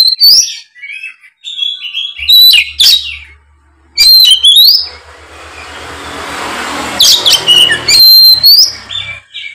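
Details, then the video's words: Oriental magpie-robin in fighting mode, full repertoire as a lure to make lazy magpie-robins sing: loud whistles and harsh chatter, partly covered midway by a broad rushing noise before the song returns. "kacer ON tarung bongkar isian pancingan kacer malas bunyi seketika gacor"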